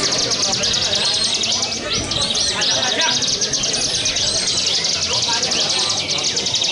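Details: Competition bar-winged prinia in full 'ngebren' song, 'walang sangit' style: a rapid, chattering high trill of clipped notes, broken by short upslurred whistles, with steady crowd-like background murmur.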